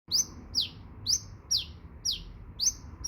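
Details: Sunbird singing: sharp, high, downward-sliding notes repeated about twice a second in a steady series, with faint low background hum.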